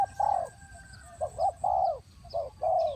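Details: Spotted dove used as a decoy bird in a trap, giving mellow, low cooing notes in short phrases: a drawn-out coo, a pair of quick coos, then more long falling coos, with faint high chirps from other birds behind.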